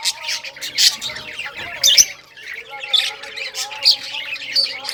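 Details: A group of rare-coloured budgerigars at play with toys, giving a busy mix of harsh squawks and high chirps in uneven clusters, with soft low humming tones underneath.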